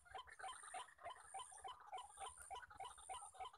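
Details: Wild white-breasted waterhens, males calling all around during decoy trapping: rapid harsh croaking notes stacked in a dense, overlapping chorus of several birds, with a steady high insect whine throughout.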